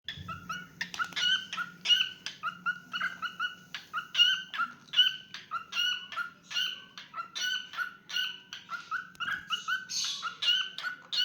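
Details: Pet cockatiel singing: a long run of short warbled and whistled notes with chattery bursts, repeated more than once per second, with a faint low hum underneath.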